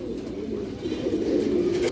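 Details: Many caged pigeons of several named breeds at a Jatrabari loft coo together as a steady low murmur, with one louder rolling, warbling coo rising out of the chorus in the second half.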